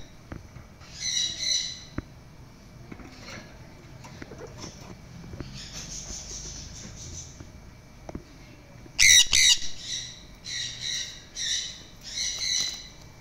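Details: A hyper red factor mutation sun conure gives harsh, raspy screeches in short repeated bursts, loudest near the end.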